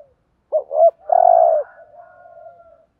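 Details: Spotted dove decoy bird giving the thúc gù coo used to provoke rival males. Two short rising notes are followed by one long, low, steady coo, then a faint trailing murmur.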